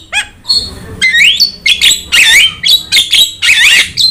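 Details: Javan myna tutor and lure song: loud slurred whistles and wavering buzzy phrases, each about a third of a second long, repeated in an uneven sequence with brief gaps.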